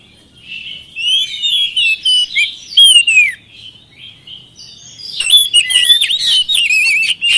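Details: Oriental magpie-robin song used to coax lazy birds to answer: a soft warbled opening, then a louder slurred whistle, a brief lull, and a dense run of rapid whistles and chips.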